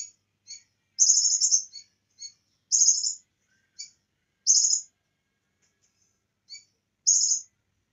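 Bar-winged prinia giving high, buzzy, rapidly trilled bursts every couple of seconds, long phrases alternating with brief chips, in a cagebird training mix.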